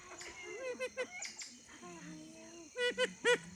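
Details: Siamese fireback giving soft, drawn-out nasal notes that bend up and down, ending with a few loud, sharp calls that fall quickly in pitch.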